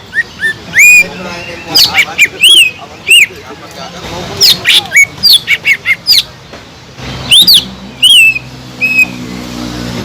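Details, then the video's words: Green leafbird singing to provoke other leafbirds that lack aggression: sharp, clear whistles with hooked and rising shapes in short clusters, separated by brief pauses, plus a low steady hum in the latter half. "PANCINGAN CUCAK IJO GACOR INI SANGAT EFEKTIF BUAT CUCAK IJO KURANG EMOSI"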